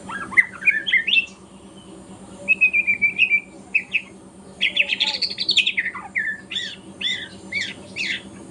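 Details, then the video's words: Spotted young white-rumped shama learning its song in the morning: rising whistles, a rapid trilled run, and an arching warbled phrase followed by choppy chattering notes, with a low hum beneath. "GACOR kicauan murai batu trotol pagi hari"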